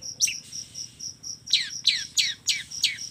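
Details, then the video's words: Long-tailed shrike with a full filler-phrase song (kombinasi isian): a quick run of five bright descending whistled chirps, evenly spaced, after a steady high pulsed piping, with a faint low hum. "suara kicau cendet gacor FULL KOMBINASI ISIAN AMPUH"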